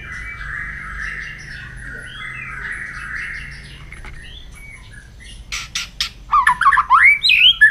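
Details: White-rumped shama in morning voice training: soft held whistles at first, then a burst of loud, rapid, varied chattering and twisting whistled notes near the end.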